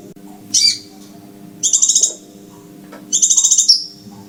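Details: Scarlet minivet call played to attract birds to lime-coated perches: one short shrill note, then two fast, very high pulsed phrases that end in a falling slur, over low steady noise.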